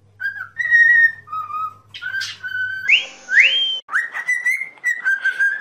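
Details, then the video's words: Pet cockatiel whistling a song for training: steady level whistles, then two sharply upswept notes and a wavering sustained whistle, with a low hum early on. "Training Cockatiel to singing"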